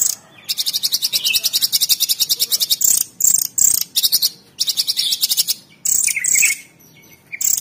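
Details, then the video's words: Orange-bellied leafbird (cucak cungkok), a cage bird, singing tembakan-style master song for training other birds: long bursts of rapid, evenly repeated high chips in a fast rattling string, broken by short gaps and a few lower whistled notes. "TEMBAKAN ISTIMEWA CUCAK CUNGKOK SUPER GACOR !!! Masteran Terbaik"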